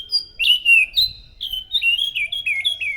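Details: Thrush singing loudly as a lure for other thrushes, a fast string of varied, high whistled and slurred notes, many short phrases dipping downward, delivered almost without pause for three seconds.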